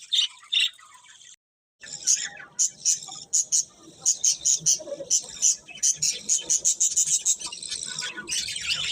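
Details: Colourful budgies kept as pets chirping: a busy stream of short, sharp high chirps and clicks, some repeated quickly in bursts, with a brief silent gap near the start and a steady hiss behind.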